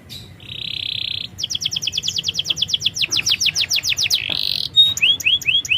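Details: Canary song for luring a bird slow to sing: a buzzy rolled trill, a long series of fast high sweeping notes, another buzz, then repeated rising whistled slurs.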